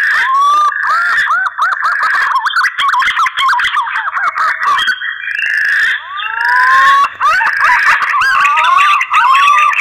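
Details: Green pigeon mating call used as a lure: dense, continuous warbling whistles that loop up and down, with rising slurred notes and short breaks, overlapping throughout.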